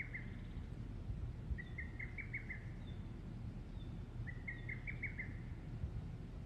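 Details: Lesser cuckoo singing alone at 19:24 on an evening in mid-June in Shikokuchuo, Japan; two quick phrases of five or six sharp, whistled notes, each lasting about a second and spaced roughly three seconds apart, over a low steady rumble.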